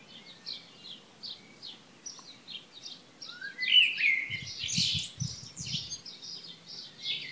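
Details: Early June morning chorus at Šilo, Krk island, Croatia, 2015: rapid repeated high chirps run throughout while a louder twittering, rising phrase bursts in at the middle, with faint low rumbles beneath.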